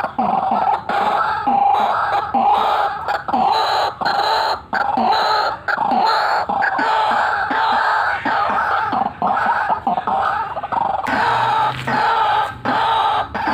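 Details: White-breasted waterhen giving a loud, harsh, continuous cackling, full "ngekek" and rolling "ngeroll" style lure call. Rapid croaking notes run almost without a break and come in rough bursts with short gaps.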